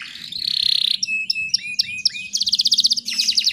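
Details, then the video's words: Young female canary, in breeding condition, calling to lure males in a recording filled with Bar-winged Prinia material: a steady high buzz, then spaced sharp chirps, then rapid clipped trills near the end. "PANCINGAN KENARI BAHAN FULL ISIAN SUPER ISTIMEWA"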